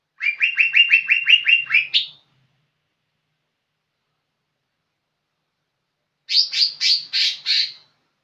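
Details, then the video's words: Young lesser green leafbird (cucak ijo) singing actively: a quick run of about ten sharp, repeated chirps, a long pause, then a shorter burst of five louder, higher notes. "Cucak ijo muda super gacor"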